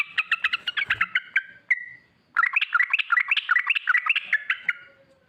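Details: Lure song of a sooty-headed bulbul, the long rolling ropel style for drawing out other bulbuls: rapid choppy chirps with bouncing pitch, a brief drawn whistle, a short pause, then another lively run of quick varied notes.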